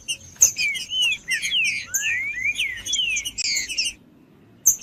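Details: Pale-breasted thrush, a bird kept for singing tournaments, singing rich whistled phrases of falling and rising slurs with sharp clicks, then a pause before a brief final note, over a faint constant high tone.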